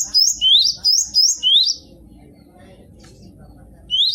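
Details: Gelatik batu, the cinereous tit, singing for a tutor recording: a run of high whistled phrases pairing a rising slur with a thin high note, then a pause and one more phrase starting.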